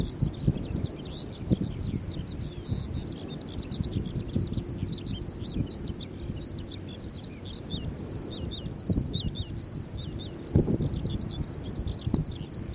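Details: Skylark song recorded at Kasai Rinkai Park, 10 July 2011, where several were singing around the site: a continuous, fast, high-pitched warble of chirps, slurs and trills without pause, set against constant low-frequency background rumble.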